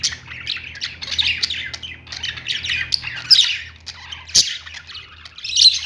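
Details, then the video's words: Several lovebirds kept in a pet store chatter almost nonstop with shrill, raspy squawks and chirps, one loud sharp click cutting through, and a low steady hum in the background. "love birds sounds | parakeet chirping sounds in pet store"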